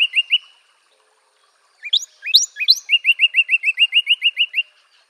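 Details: A Northern Cardinal sings: a short phrase, a pause, then three loud rising slurs leading into a fast, evenly spaced series of about twelve clear whistles.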